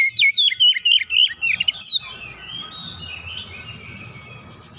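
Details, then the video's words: Home-kept Oriental magpie-robin singing after hearing another bird: a rapid burst of loud whistled and chattering notes for two seconds, then faint distant song behind steady background hiss. "KACER RUMAHAN MENDENGAR LANGSUNG NGOYAK BONGKAR ISIAN"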